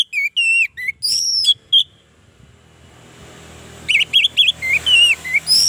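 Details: Orange-headed thrush song to attract others: bright looping whistled phrases at the start, a stretch of low background hiss and rumble, then more rapid slurred whistles returning near the end.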